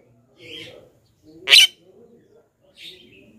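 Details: Lure recording of a Javan myna for calling wild birds: one loud grating squawk between two softer, hoarse notes.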